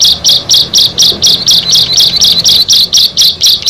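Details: Buzzy, scratchy high notes from a bar-winged prinia, one of a group of six, repeated about twice per second in an even rhythm.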